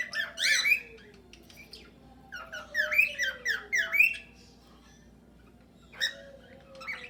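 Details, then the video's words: Cockatiels singing and whistling in a shared aviary with budgerigars, several birds together: bursts of harsh, warbled chirps alternating with soft, low, drawn-out falling whistles, then quieter pauses. "Calopsitas cantando e assobiando"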